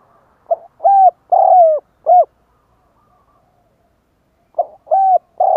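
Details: Spotted dove cooing, used to lure wild doves: a low phrase of four hollow coos, a short note, two longer drawn-out coos and a short one, then a pause and the phrase begins again; quiet background.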